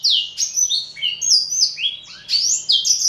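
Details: Close, loud song of a four-year-old male black-throated canary (Somerini x Botswana): a tight three-second flurry of high, fluid, descending whistles linked without pause.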